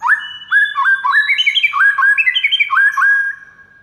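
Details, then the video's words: White-rumped shama song used as a master recording to make other shamas respond: rapid series of rich whistled notes climbing in steps, each note a quick upslurred whistle, delivered in fast bursts with no other sounds. "GAK PAKEK LAMA MURAI MANAPUN AUTO RESPON DENGAR MASTERAN MURAI BATU SATU INI"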